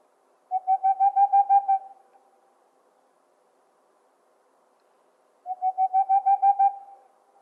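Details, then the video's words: A boreal owl gives a quick run of about nine soft, hollow hoots that swell slightly in volume, then repeats the burst after a few seconds of silence. "The sound of a boreal owl"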